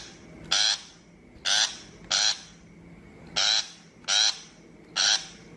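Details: A shrike gives seven harsh, chattering rasps spaced under a second apart, recorded as an mp3 for a bird-trap loudspeaker. A low steady hum sits behind the calls.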